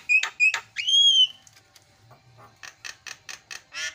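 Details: Starling lure calling: two short whistled notes, then a long clear whistle arching up and down, followed by quiet gaps and a series of sharp clicking chips.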